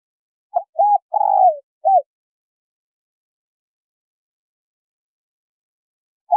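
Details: Female spotted dove calling to get a male cooing: one soft phrase of two short coos, a longer descending burred croo and a brief last note, followed by silence and the start of another phrase.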